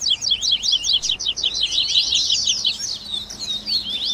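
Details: Double-collared seedeater 'baderna' training audio: nonstop rapid, bright zigzagging notes in overlapping phrases, loud and high-pitched throughout.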